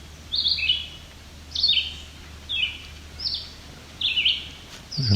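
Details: A family of at least five White-breasted Nuthatches, with young being fed by a parent, on rocky alvar near Cape Chin North, Ontario, on July 17, 2019, gives short, high, slightly descending nasal calls, about five, just over a second apart.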